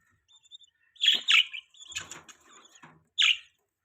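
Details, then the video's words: Budgerigars chirping in the morning, kept as pets: loud sharp chirps around one second and again near three seconds, with softer chattering warble and a faint low hum in between. "Beautiful Budgie Voice In The Morning Time | Budgie TV | Budgie Chirping Sound"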